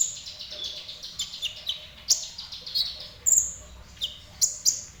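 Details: Kolibri ninja sunbird in a semi-active singing mood, giving high, thin twittering notes and sharp piercing chirps in uneven bursts over a quiet background.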